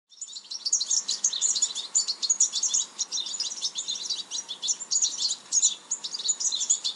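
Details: Goldfinch (Carduelis carduelis), a sparrow-sized finch once a popular aviary bird, giving a sustained rapid stream of bright chirps, liquid twitters and brief buzzes, unbroken for about seven seconds.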